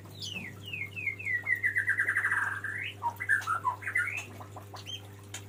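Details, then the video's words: Male white-rumped shama calling to a female: a run of descending whistled notes speeding into a rolling trill, then a rising slur and a few varied chirps, over a low steady hum. "SUARA KICAU BURUNG MURAI BATU JANTAN MEMANGGIL BETINA"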